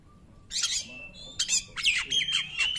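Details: Oriental magpie-robin in 'nembak' style, song used as a lure to get non-singing magpie-robins to sing: quiet start, then a buzzy high burst, scratchy notes and a rapid rattling run ending on a sustained whistle.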